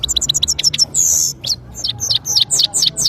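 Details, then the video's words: European goldfinch from Parachinar singing: quick repeated chirps, a long buzzy note, then a string of sweet, sliding twittered notes in rapid succession. "gold finch singing saira birds of parachinar powerful singing"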